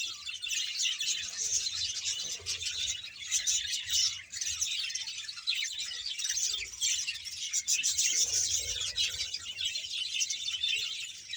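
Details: Around 100 pairs of budgerigars kept as a colony in Bahawalpur, chattering nonstop; high scratchy warbles and chirps overlap continuously, with brief clicks and a faint low hum.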